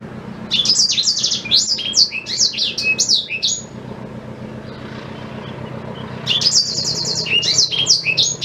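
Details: Black-throated canary singing as a tutor for white-rumped shama: two bursts of rapid high sweeping notes and a buzzy trill, separated by a quiet pause, over a low steady hum.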